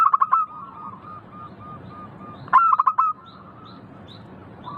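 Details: Zebra dove, local type, singing. A quick stuttering burst opens, then a string of short, evenly spaced coos and a second loud burst of rapid notes.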